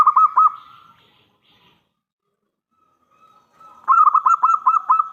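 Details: Crystal-voiced local zebra dove, a lure for other doves to respond: a short pulsing coo, a quiet pause, then a longer phrase of about eight rapid throbbing beats on a steady pitch.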